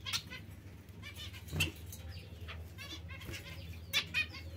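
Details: Zebra finch giving short, nasal, harmonic-rich calls: four louder ones spread across the clip, including a close pair near the end, with fainter similar calls between them over a steady low hum.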